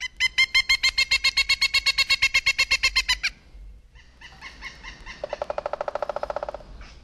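Pileated Woodpecker: a loud, ringing series of about twenty even 'kuk' notes over three seconds, then a faster, lower-pitched run of similar notes.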